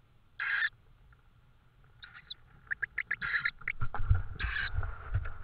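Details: Tawny owl with prey, recorded in Estonia at 22:36 on 5 May 2013; rasping screech calls repeated irregularly, mixed with sharp clicks and clattering knocks and a rising low rumble of handling noise.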